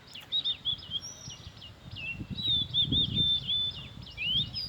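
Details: Oriental magpie-robin singing a varied, high-pitched run of sweet whistles, slurs and trills, nearly continuous and changing phrase every moment, over low rural background rumble.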